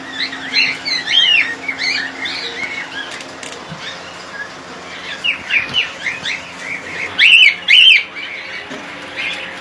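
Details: Colony of cockatiels chattering with many quick, bright, rising-falling chirps, ending with two loud, sharp whistled calls close together.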